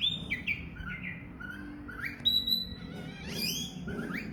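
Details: Oriental magpie-robin singing varied whistled phrases: short falling and rising slurs, a long level high whistle, and a burst of harsher notes, over a low droning background.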